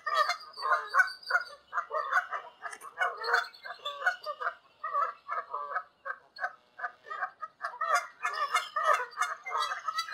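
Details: Many wild Canada geese calling in flight over open country in Canada, a continuous chorus of overlapping honks with faint higher yelps, thinning briefly near six seconds.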